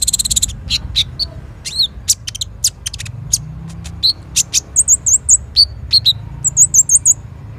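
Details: Kolibri ninja sunbird song meant as lure and master material for training birds; a quick rattle, then varied sharp high chips and ticks, ending in short, repeated, high twittering phrases.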